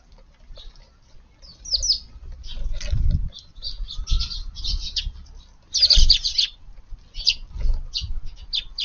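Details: Eurasian tree sparrows crowding densely at food put out in a garden on a June 11 evening, pecking without fighting; short high chirps come in scattered bursts over soft thuds of pecking and wingbeats.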